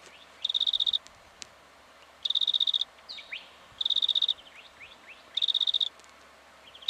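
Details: Black-fronted dotterel in Victoria, Australia, in October 2011, giving four high, rapid buzzy trills, each under a second and about two seconds apart, with soft upslurred tip notes between them.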